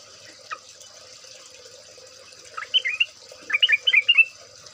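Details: Yellow-vented bulbul (trucukan) in a lure recording made from an ombyokan, a group chorus. After a quiet start with one lone note, a bubbly burst of quick, warbling, rising-and-falling notes comes near the end over a steady high hiss.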